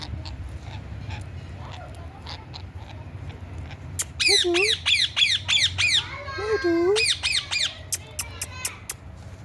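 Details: A pet Indian ringneck parrot (rose-ringed parakeet) gives fast bursts of harsh, shrill screeches, about three a second, mixed with a few lower warbling whistles after a quiet start.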